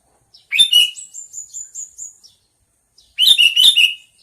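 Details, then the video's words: Sooty-headed bulbul chirping loud, bubbly two- and three-note phrases. Between phrases, a rhythmic run of about seven thin, high, evenly spaced tinkling notes is heard. "Suara burung kutilang panggilan"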